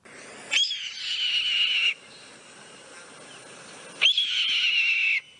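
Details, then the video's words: Two hoarse, drawn-out screams from a Red-tailed Hawk, each over a second long and falling slightly at the end, with a soft background hiss between them; this sound is often dubbed over bald eagles. "and let's listen to the sound of a red tailed hawk"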